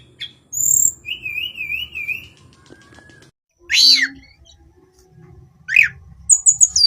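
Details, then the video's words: Hill blue flycatcher, locally called tledekan gunung, in its daily singing: high thin whistles, a wavering warbled trill, harsh sweeping notes near four and six seconds, then quick high chips at the end. "Kicauan harian Tledekan gunung"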